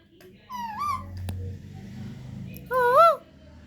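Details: Baby parrot said to be able to talk makes two short, wavering, voice-like phrases separated by a quiet pause, over a faint low hum indoors.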